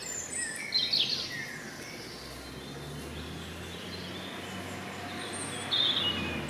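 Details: Great spotted woodpecker in Grmoščica Forest Park, Zagreb, Croatia, giving sharp, high 'kik' notes in two short bursts, one near the start and one near the end, over a steady outdoor hiss.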